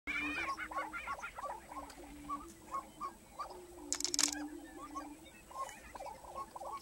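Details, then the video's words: Lesser prairie-chickens displaying in a busy chorus: a low, steady hooting hum beneath rapid, repeated clucking and cackling notes, with several birds calling at once. "Lesser Prairie Chicken Display"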